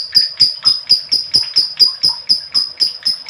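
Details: Long ngekek from a female lovebird, used to spur other lovebirds into song: fast string of shrill, clipped notes repeated roughly four times a second in an unbroken chattering rattle.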